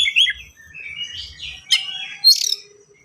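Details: Oriental magpie-robin in rapid, packed singing with unique fill phrases, used to coax young birds to sing and copy: bright whistled notes, scratchy buzzy phrases, a sharp click and a harsh high burst near the end.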